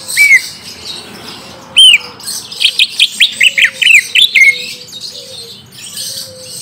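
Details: Green leafbird song used to lure a young bird into replying: isolated bright slurred whistles, then a rapid sequence of varied high chirps and downward slides, ending abruptly.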